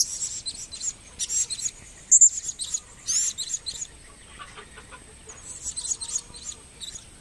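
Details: Blue-crowned hanging parrot, a kept bird recorded in 2015, uttering rapid high-pitched squeaky chirps in clustered bursts over a steady thin high tone, with scattered softer notes.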